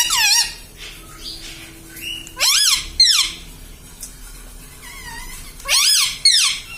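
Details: Pet parrot taught to say papa, mummy and radhe radhe: loud, squeaky, harmonic syllables that swoop up and down, in three spaced bursts with quiet gaps and a faint steady hum between them.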